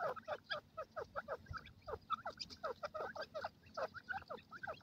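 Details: Pair of francolins (gadra teetar) calling in forest, giving quick, steady series of downward-slurred notes about five per second, loud and clear, with light background noise.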